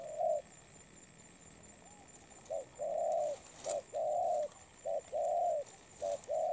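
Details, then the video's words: Moulting spotted dove gives one soft coo, pauses about two seconds, then resumes with paired short-and-long hollow coos repeated three times, over a faint high hum and occasional clicks. "Bổi Đồng Pha tốt tiếng , liền lẹ , bài khá , gù tốt . chim đang thay lông ."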